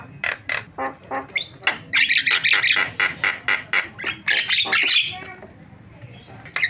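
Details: Starling lure calls to set other starlings off: spaced harsh rasping notes, one upward whistled slur, then a dense run of scratchy chattering bursts that fade out near the end.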